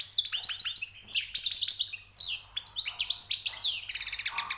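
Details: European goldfinch, just caught, singing its high, rare notes: loud, fast cascades of ringing chirps and liquid twitters, a brief pause, then quickening repeated tinkling notes.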